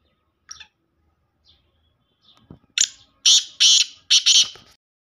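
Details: A few faint scattered sounds lead into a black francolin's loud call: four or five harsh, grating, buzzy bursts delivered in a rapid rhythmic phrase near the end.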